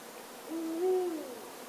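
A deep, resonant hoot from an Indian Eagle-Owl, a 'boo-boo' of two joined notes with the second slightly higher, over a faint background hiss.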